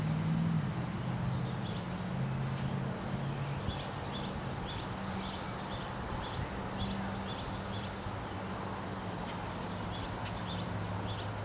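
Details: A sparrow chirps steadily in front of a condo, with short, high chips about three or four a second, over a low hum of distant traffic.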